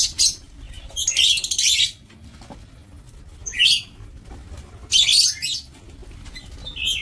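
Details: Breeding lovebirds in an aviary, sharp high screechy calls coming in three or four clustered bursts, each under a second long, with quieter scratchy squeaks in between over a low steady hum.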